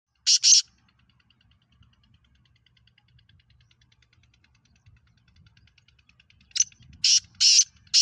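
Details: Black francolin (Kala Teetar) from Pakistan: one harsh, grating burst, a long quiet pause, then a quick series of four rasping, buzzy notes near the end, with faint low rumbling between.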